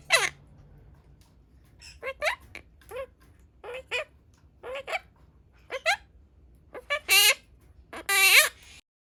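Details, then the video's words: Pastel blue monk parakeet speaking Japanese phrases, a run of brief rising syllables about once a second, ending in two louder, harsher, speech-like utterances rich in harmonics. "Pastel Blue Monk Parakeet speaking/オキナインコのモノマネ(日本語吹出し付)/talking parrot"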